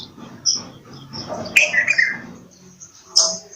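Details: Bulbul singing a bright phrase of three or four falling whistled notes in the middle, preceded and followed by high single chirps, with a soft low murmur underneath.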